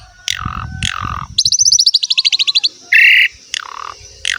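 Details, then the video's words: Asian pied starling song used to train young birds, male or female, to sing: descending whistled slurs, a fast run of about fifteen buzzy high notes, then a loud harsh rasp and more falling whistles. "PANCINGAN BURUNG JALAK SUREN SUPER GACOR FULL ISIAN MEWAH"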